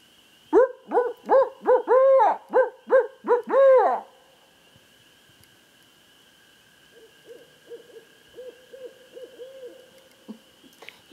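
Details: Barred owl answering a person who calls it in: a burst of eight to nine loud, evenly spaced hoots with a drawn final note. After a quiet gap, a softer run of repeated hoots follows.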